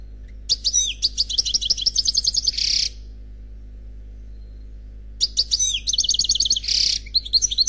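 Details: European goldfinch, single unpaired bird, Khalwi-style song: two phrases of fast tinkling twitters and even trills, each ending in a harsh buzz, separated by about two seconds of quiet. A low hum persists.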